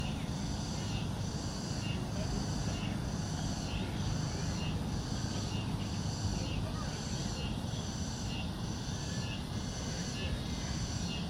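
Common Kingfisher giving high, thin piping notes about every three-quarters of a second, over a heavy low rumble of wind or distant traffic.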